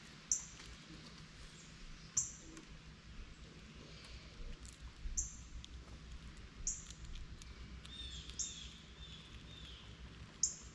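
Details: Repeated short, sharp, high chips from northern cardinals waiting for seeds to fall from a feeder while a squirrel has breakfast, roughly every two seconds, with a faint softer twitter and steady background hiss.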